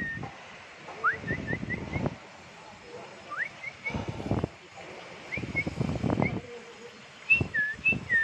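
A young bulbul gives thin, high whistled notes and quick rising slurs in short bursts every second or two, over low muffled thumps and rustling close by.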